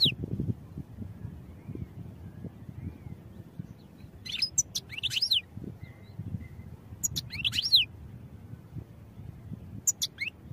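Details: European goldfinch training song, sparse: three separate bursts of quick, high liquid twitters and slurred chirps with long quiet gaps between, a low rumbling background throughout.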